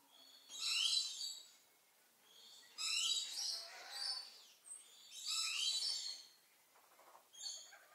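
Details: Mated pair of Purple-naped lories in a quarrel, likely over nest access, not meant to hurt: three loud bursts of harsh, rasping high screeches about two seconds apart, with a brief squawk at the end.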